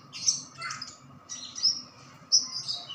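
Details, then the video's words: Newly captured white-eye, two days in hand, gives three separate bursts of high, thin twittering notes, each ending in a short downslurred whistle. "Burung conin baru dapat 2 hari langsung gacor"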